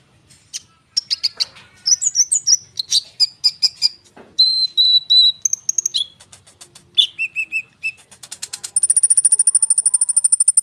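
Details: Konin bird singing loudly and continuously in a rolling style, used as a lure to get sunbirds and other birds to respond: a rapid, varied run of high chirps, whistled slurs and trills, ending in a fast repeated buzzy trill.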